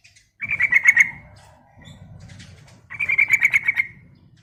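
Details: Female yellow-vented bulbul calling a male: two short bursts of quick, bubbly chattering notes about two seconds apart, with a soft low rumble in between.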